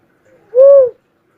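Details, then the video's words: Single soft hooting whistle from a cuckoo-dove, gently arched in pitch and about 0.4 seconds long, preceded by a faint murmur and otherwise quiet. "suara burung uncal asli"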